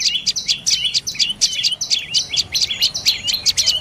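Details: Dark-necked tailorbird calling in quick high notes, often paired, with brief flat whistled segments and steep downslurs, repeated at a steady brisk pace; no other clear sounds.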